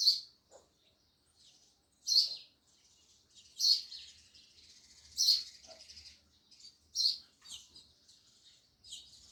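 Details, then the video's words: Loud sparrow chirps ring out every second or two, sharp and high, over a soft background of quieter chattering. "Sparrows Loud Chirping Sounds"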